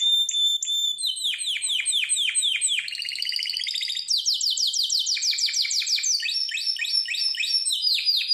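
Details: Harz Roller canary song used for training: high whistles leading into fast cascades of falling notes, a tight buzzy roll, then further rapid trills at shifting pitches without pause.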